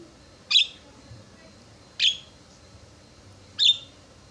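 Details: Javan myna lure sound meant to make rival mynas respond: three loud, sharp, high squeaky notes spaced about one and a half seconds apart, with quiet low noise between.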